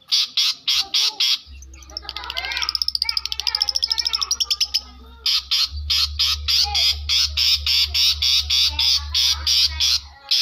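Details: South Malang long-tailed shrike imitating lovebird and canary, delivering fast bursts of sharp, high repeated notes, then a quick twittering trill, then the steady pulsing notes again, with a constant low droning hum underneath.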